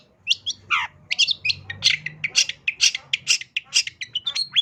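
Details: Active long-tailed shrike delivering a full mimicry-laden song meant for tutoring pet birds; rapid run of sharp, varied chirps and squeaky notes, about two per second, over a faint low hum.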